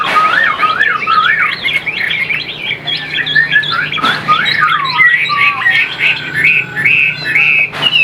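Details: Captive Chinese hwamei kept as a songbird in Vietnam, singing a rich, varied run of loud whistled phrases with rising and falling slurs and quick repeated notes, with a faint low hum behind.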